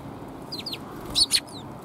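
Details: Sparrows, including a tailless one, on 17 January 2022 on the outward walk. Short high chirps sound twice, then a louder double chirp and a thin falling note, over a continuous low background hum.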